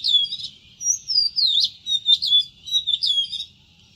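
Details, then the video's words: Oriental magpie-robin singing a rich, varied run of clear whistles, with sliding rising and falling notes and quick warbled flourishes in rapid succession, then a brief pause at the end. "Shama Magpie Singing Songs | Shama dayal Song (saularis) | Dayal-rigó Song | Dajaldrossel Song"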